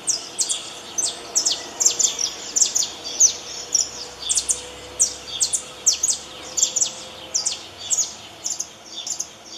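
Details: Saffron finch, known locally as canário-da-terra, singing in the wild: sharp, high chirped notes given in quick bursts about every half second, steady throughout over faint background hiss.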